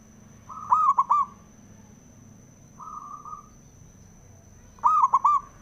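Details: Male zebra dove, a local bird used to provoke rival doves into singing, gives two loud, rolling three-part cooing phrases about four seconds apart, with a softer drawn-out coo between them and a faint steady high whine throughout.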